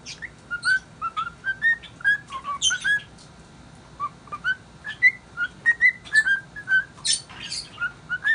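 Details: Cockatiel kept as a pet, cheerfully singing some tune: short whistled notes rise and fall in a lively string, broken by a short pause midway, with occasional sharp, high chirps mixed in.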